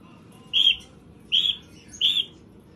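A cockatiel gives three loud, shrill chirps, each about a quarter-second long, spaced under a second apart.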